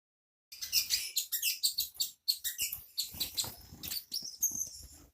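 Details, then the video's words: Songbird used as a master song for training white-rumped shamas and magpie-robins: bright, high, rapid chattering phrases of sharp chirps and trills, delivered in quick bursts with brief pauses, on an otherwise silent background. "Suara burung yang satu ini cocok buat masteran muray batu, kacer dll"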